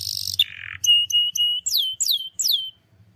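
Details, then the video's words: Canary song used to coax a reluctant canary to sing: a buzzy note, then short high whistles and three sharp downward-sliding notes, with a faint low hum beneath. "PANCINGAN KENARI MALAS BUNYI"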